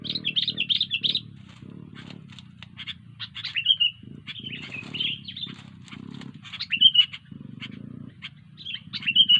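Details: Sooty-headed bulbul in full voice, pouring out rapid bubbly chirped phrases in irregular bursts, some ending in a bright whistled flourish, with a constant low mechanical hum beneath.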